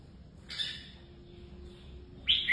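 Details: A red-whiskered bulbul gives two short, bright whistled song phrases about two seconds apart, the second louder and rising, over a faint low hum.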